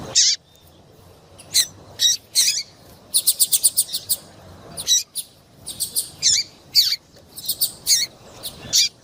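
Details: Female double-collared seedeater's call for making a male sing: a few lone sharp chirps, then a rapid rattle of short high notes, followed by evenly spaced single chirps.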